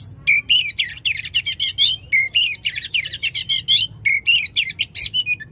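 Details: Loud oriental magpie-robin song for coaxing a non-singing magpie-robin; a dense, fast run of rising and falling whistled notes with buzzy rasps, repeated almost without pause.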